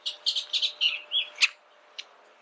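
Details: Bullock's oriole delivering a quick series of about eight bright, high chirped notes, one rough note to finish, then faint single chips after a short silence.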